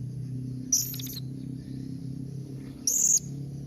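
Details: Blue-crowned hanging parrot calling to draw an answer from other hanging parrots: two brief bursts of very high, thin, sharp notes about two seconds apart, over a steady low hum.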